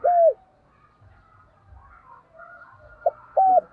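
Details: Spotted dove used as a decoy to call in wild doves. One loud arched coo, then quiet faint twittering, then a short note and another coo at the end.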